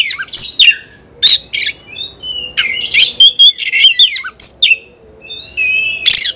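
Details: Competitive Oriental magpie-robin song: loud rasping bursts alternating with clear whistled slurs and quick chattering notes, delivered in rapid, uneven phrases.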